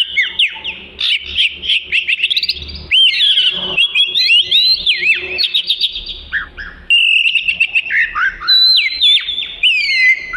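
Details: Oriental magpie-robin in prolific 'gacor' song for training other birds: rapid, varied whistles and buzzy twitters, rising and dipping, delivered in loud phrases separated by short gaps.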